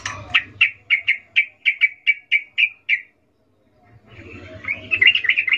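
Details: Sooty-headed bulbul female calling the male in a ngecuplik mating call: about eleven crisp, separate chirps spaced roughly a quarter second apart, a silent gap, then a rising bout of fast chattering.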